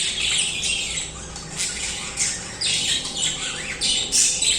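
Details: Budgerigars singing continuously, a busy stream of harsh squawks, chirps and scratchy warbling notes in quick overlapping bursts, several birds at once.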